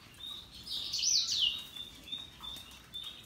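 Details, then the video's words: Russian yellow and Timbrado canaries singing: a bright warbled phrase with a quick falling sweep in the middle, then a few soft, thin, level whistles. "Canaries Paradise Song Sound"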